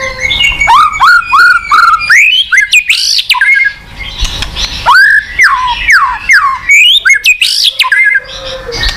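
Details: Rich White-rumped shama song used to get a quiet shama singing: repeated whistled slurs, swooping upward sweeps and dense warbled phrases, about two to three notes per second.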